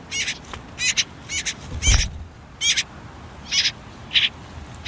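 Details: Nestling common whitethroats, last day before leaving a nest near a river among reeds and nettles, give short, high, rasping calls in quick pairs and bursts, with one low thump partway through.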